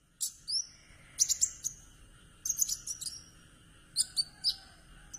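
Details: Conin song in the trotol kumur kumur style, used as a lure to set a silent conin singing again: very high, thin chirps and short trills in quick bursts, with pauses of about a second between groups.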